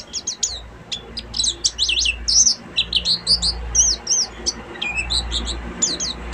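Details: Oriental white-eye of the buxtomi type singing in the full ngeriwik style: rapid, high, thin chirps and twittered notes tumbling one after another with barely a pause, over a faint low rumble.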